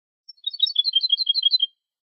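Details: European goldfinch clean contest song from a Málaga 2020 training copy: one continuous phrase of quick, liquid, high twittering notes, rising in density and lasting over a second, with no other sounds.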